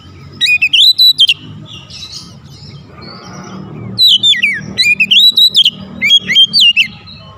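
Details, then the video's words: Oriental magpie-robin (kacer) lure song: loud rippling whistled phrases climbing and sliding, heard in two main bursts with a quieter gap between, over a steady low background rumble. "PANCINGAN KACER NAIK EMOSI"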